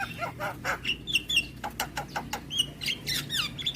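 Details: Javan myna singing a nonstop song full of varied fill notes: harsh buzzy bursts alternating with short clear whistles near the top of the range, delivered in quick irregular sequence with a low steady hum underneath.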